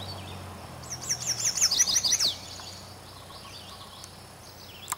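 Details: Chestnut-sided Warbler male in a birch tree above Quabbin Reservoir, Massachusetts, 2006, giving a loud exuberant song: about a second and a half of quick, high, repeated slurred notes, then quieter thin notes from other birds and light background hiss.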